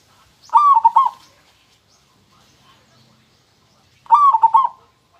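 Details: Song of a local zebra dove, two bursts of rapid, rippling coos, each phrase starting with a slight rise then breaking into quick stuttering notes, separated by a quiet gap of about three seconds.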